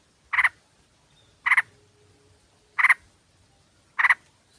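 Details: Female sooty-headed bulbul calling a male, played to lure birds: four clipped, raspy double-pulsed notes at steady intervals of just over a second, with a faint low hum behind them.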